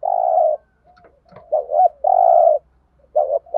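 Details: Decoy thúc gù cooing of a spotted dove, Thổ voice style, for bird trapping: long steady coos alternating with short rising notes, a faint low hum beneath.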